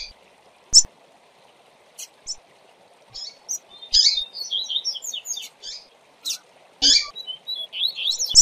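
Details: Double-collared seedeater singing as a tutor for training other seedeaters: bright, high twittering phrases of rapid buzzy and whistled notes after a few isolated chirps, with scattered sharp clicks and a steady faint low hum.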